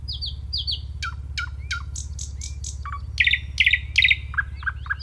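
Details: Nightingale song with high falling whistles, a string of short sharp downward notes, then loud rapid double notes and lower clipped notes repeated in a varied sequence, over a low background hum.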